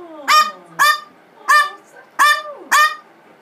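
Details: Angry blue-fronted amazon throwing a tantrum after being sprayed with water and rose water: five loud, grating, honk-like screams in quick succession, about one every half second to second.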